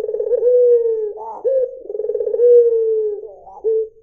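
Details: [['A white Barbary dove gives throbbing, rolled coos that stretch into smooth, descending notes, joined by short higher bubbling bits between phrases.']]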